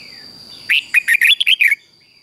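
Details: Red-whiskered bulbul morning song, played for training: one phrase of about seven loud, jaunty whistled notes lasting a second, over a steady faint high tone and low background murmur.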